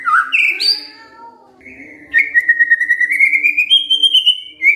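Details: White-rumped shama singing kretekan fighter style to make silent shamas respond: a burst of sharp rising whistles, a quiet moment, then a long, gradually rising, rapidly pulsed trill ending on a short whistle.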